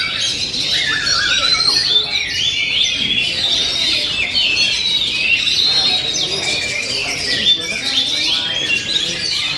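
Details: Oriental magpie-robin (kacer) singing in its 'ngent' style: a dense, continuous run of high whistled and chattering notes with quick rising and falling slurs, sustained throughout without pause.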